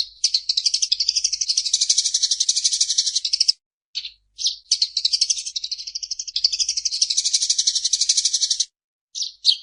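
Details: Eurasian tree sparrow in energetic, vigorous song: dense, rapid chattering chirps about four per second, in two long bursts of roughly three seconds each separated by short pauses and a few isolated chirps.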